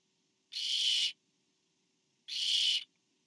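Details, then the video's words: Barn owl at a nest camera as a parent delivers food to owlet number four, 24 September 2015: two harsh, broadband hissing screeches, each about half a second long, separated by silence. "A parent delivers to owlet #4..... I think."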